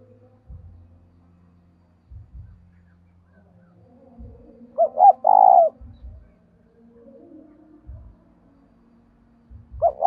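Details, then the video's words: Decoy spotted dove calling to prompt wild doves to coo: one mellow phrase of two brief notes and a drawn-out coo midway, another starting at the end, with scattered low thumps and a faint hum. "Anh em hãy mở tiếng cu mồi thúc bổi này bảo đảm bổi nghe gáy luân"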